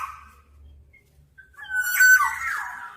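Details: Black-naped oriole giving one loud, wavering whistled phrase with a burry edge after a quiet start that carries only faint notes and a low hum.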